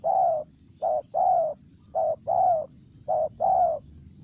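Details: Spotted dove from Ninh Thuan, Vietnam, cooing: low hollow coos around 700 cycles, in groups of a short note followed by a longer slightly falling one, repeated steadily about once a second, with faint low background rumble.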